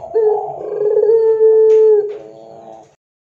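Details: Barbary dove (puter pelung) on a lure recording used to train doves: a rough, wavering low coo steadies into a clear held tone for about two seconds, then drops to a quieter, lower trailing note before silence.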